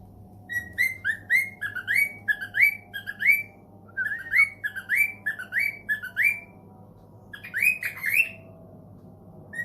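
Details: Caged pet cockatiel responding to a phone call with quick rising whistled notes repeated in bursts, about a second and a half per burst, against a low electrical hum indoors.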